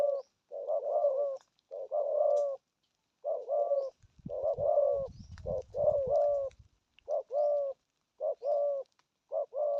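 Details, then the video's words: Spotted dove's 'gù thúc' urging coos in the prized 'thổ âm' style: repeated hollow, rolling phrases throughout, with low rumbling thumps in the middle section. "thuc gù thúc kèm bài bản"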